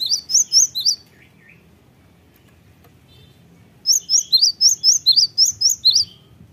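A Cinereous Tit gives bright, high chattering notes in quick bursts, pauses for about three seconds, then resumes with a longer run of sharp repeated phrases.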